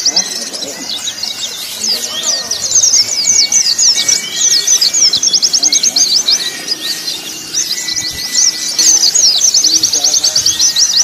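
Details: Recording made to train captive white-eyes: several birds in a dense, very high twittering chorus of quick chirps and trills, with a few longer, lower whistles. The mix combines a female in breeding condition calling males, male calls, long canary-like phrases and flowing water.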